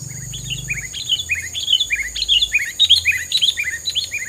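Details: Bird song played as filler material to push rivals away: rapid series of short downslurred chirps repeated about twice a second over a steady high insect-like whine, with low hum early on.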